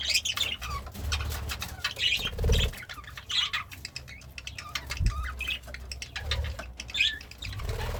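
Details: Pet budgerigar, happy and eating greens, with scattered scratchy chirps and short buzzy chatter bursts, mixed with low thumps and handling or eating noises.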